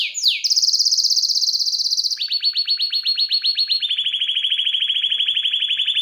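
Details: Agitated canary in loud, high-pitched song: it opens with quick downward sweeps, then a fast rattling trill, which drops to a lower, buzzy trill of about four notes per second that holds steadily to the end. No other sounds are heard.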